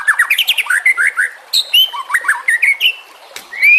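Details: White-rumped shama song recorded as a master for other songbirds: rapid descending series of bright notes, then mixed whistles, short chatters and a rising slurred ending.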